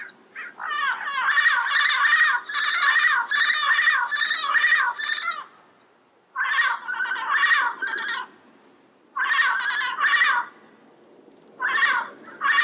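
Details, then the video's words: Yellow-headed parrot in the wild producing long runs of rapid, wavering, nasal calls, each bout a chattering string of rising and falling notes, broken by short pauses and resumed three times. "Yellow-Headed Parrot Sounds - Natural Bird Calls and Songs in the Wild"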